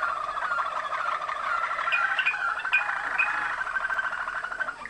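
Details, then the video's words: Malinois-type Waterslager canary from Kumanovo, Macedonia, descended from international contest champions, delivering dense bubbling rolls of rapid notes with a few brighter, higher chips layered over the trill. "Waterslager, Malinois song"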